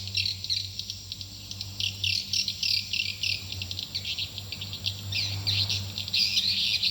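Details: Swiftlet call meant to draw swiftlets into a nest building: dense, high, twittering chirps in uneven bursts about three per second, over a steady low electrical hum.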